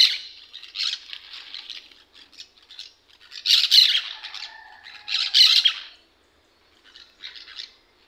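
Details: Pet green parakeets kept indoors squawking at feeding time: harsh, raspy bursts in irregular clusters, the loudest around the middle, with a brief soft tonal note between them and a quiet pause near the end.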